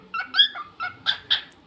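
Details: A pet cockatiel named Rio, among talking and singing sessions with phrases like "what's your name" and "I love you", gives five short, bright chirped notes in under two seconds, some warbling and some rising, with a person's voice nearby.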